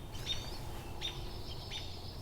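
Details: A Pine siskin, drawn in with a junco to a flock mobbing a predator as a hawk passes, gives thin, high, buzzy notes about every three-quarters of a second. The notes are faint over a steady low rumble.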